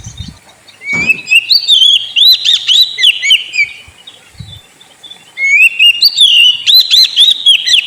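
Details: Caged white-rumped shama, played to provoke a sulking bird into singing, gives rich rising whistles and rapid warbled flourishes in two bursts, with a few low thumps.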